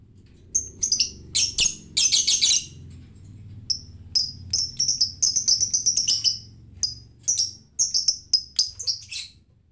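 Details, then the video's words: Lovebird ngetik, calling without any prompting: sharp high chirps in irregular bursts and clusters throughout, some rapid runs of clicks between louder notes, over a faint low background hum. "Lovebird ngetik malas ngekek tanpa pancingan"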